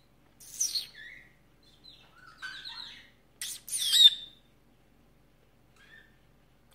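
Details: Female canary kept as a pet, chattering back and forth with her owner in February 2018: a string of short high chirps and twittering notes, with a louder sharp burst near the middle, then quiet.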